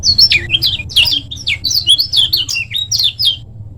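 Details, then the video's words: Active short-speed song of a Lombok lemon-bellied white-eye, meant to train other birds: fast strings of bright, high whistled notes swooping down and up, delivered in quick clusters across nearly four seconds before tailing off. "Suara Burung Kecial Kuning Gacor Tanpa Doping Untuk Masteran Kecial Kuning Lombok Speed Pendek"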